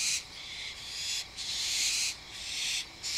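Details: An adult and a juvenile barn owl calling to each other at 11:30 pm give harsh, breathy hissing screeches, each lasting up to about a second, repeated back to back with only brief gaps.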